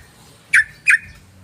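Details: One pair of loud, abrupt sooty-headed bulbul chirps, a lure call for attracting other birds. Each note starts high and falls quickly, the two about a third of a second apart, with a faint low hum.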